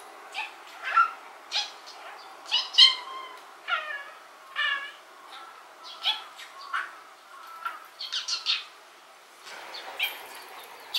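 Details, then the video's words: Male rainbow-coloured pet budgerigar talking, filmed from afar with a telephoto zoom: soft scattered chirps and warbled syllables with rising and falling harmonic sweeps, coming in irregular bursts about every second. "Talking Parakeet Bird"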